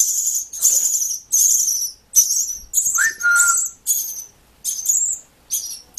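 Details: Rescued baby birds, too young to identify and perhaps robins or starlings, begging during hand-feeding: harsh, very high, hissy screeches in second-long bursts separated by short gaps, plus a brief falling whistle near the middle.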